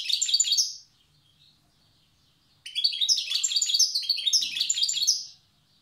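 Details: Wild European goldfinch from Tiaret in the old song style: a brisk twittering burst, a long silence, then a sustained run of chattering, liquid, rapidly repeated notes.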